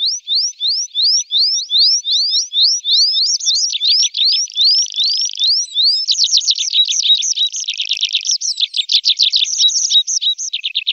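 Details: Tree pipit singing in summer: a run of quick, high, upslurred whistled notes repeated about every quarter second, shifting into faster buzzy trills and rattling phrases, then slurred descending notes; no other sounds.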